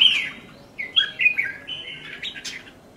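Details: Red-whiskered bulbul kept as a singing cage bird, delivering a lively run of varied warbled and slurred notes, some rising, some falling, in quick uneven succession with short sharp accents near the end.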